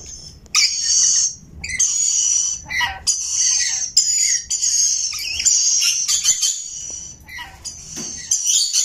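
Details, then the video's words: A rainbow lorikeet parrot gives sustained shrill chirping with harsh screechy phrases and brief dipping notes, separated by short pauses. "Rainbow Lorikeet parrot singing chirping sounds"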